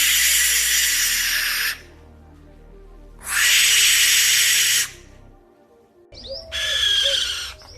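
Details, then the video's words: Barn owl screaming rather than hooting: three long, harsh, raspy hissing screeches of about one and a half seconds each, likened to a human crying for help at night, over soft background music. "The barn owl doesn't hoot, it screams."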